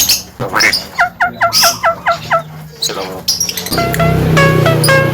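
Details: Male Javan myna, said to talk like a parrot, giving a run of seven short harmonic notes at an even pace, followed by mixed squeaks and a dense burst of ringing, layered tones.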